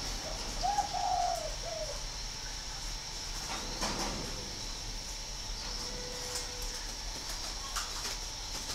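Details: Northern Vietnamese spotted dove at an aviary in Ba Vì, Hanoi: one mellow, slightly wavering cooing phrase of a long note followed by a shorter drop, then quiet with faint clatter and background hiss.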